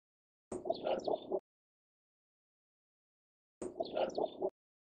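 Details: A male Cinnamon Bittern gives a short burst of about four low, throaty croaking notes. The same burst comes again three seconds later, with silence between.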